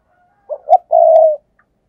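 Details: Single spotted dove coo phrase from a decoy lure meant to attract wild doves: two quick low notes followed by a longer, level drawn-out coo.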